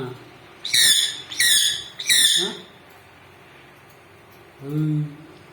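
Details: A pet sun conure, being offered food, gives three loud, harsh, rasping screeches in quick succession, apparently asking for something.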